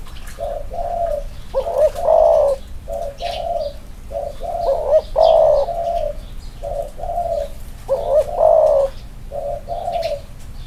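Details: Two male spotted doves in cages compared for their cooing: the same phrase of soft coos rising to a louder quavering note repeats about three times, with scattered high chirps of other birds.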